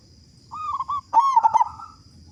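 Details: Local zebra dove with a loud voice in full song, used as a lure for other doves. A cooing lead-in breaks into a loud, fast, bubbling series of coos that trails off, over a steady high-pitched whine.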